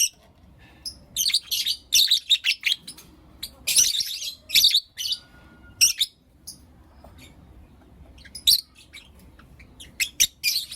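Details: Morning chirping and calls from Blue Opaline and Lutino Opaline lovebirds: rapid, shrill, squeaky high chirps in irregular bursts, busy at first, then sparser ticks with occasional loud outbursts.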